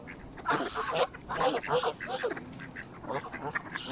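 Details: Mallards feeding in a frenzy alongside Canada geese at Smith's Pool, Fenton, Stoke on Trent, United Kingdom, on 21 November 2021, recorded on a mobile phone: harsh, raspy quacks in quick overlapping bursts, several birds calling at once.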